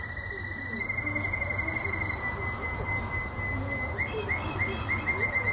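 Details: Singing canary holding a long flat whistled tone for several seconds, followed by a burst of quick chirps and short rolled phrases, against continuous low-pitched background noise.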